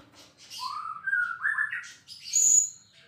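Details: Champion white-rumped shama singing: a run of clear whistled phrases rising in steps from low to mid pitch, followed by a sharp, very high thin note near the end.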